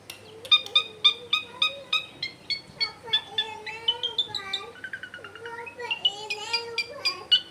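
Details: Long-tailed shrike repeating a crisp note roughly three times per second, then shifting into varied whistled phrases; lure recording from a crowded home area, with low murmuring background noise.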